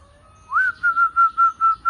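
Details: Zebra dove starting a phrase with a clear upward-gliding whistle, then a rhythmic row of five rounded, throbbing coo notes held at an even pitch. The setting is quiet.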